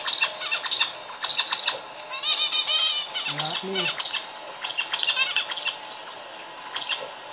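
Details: A male pet zebra finch watching a video on a phone gives rapid, nasal, toy-trumpet beeps in quick bursts, with a brief human voice.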